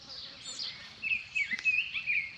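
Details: Baltimore oriole (Icterus galbula), song.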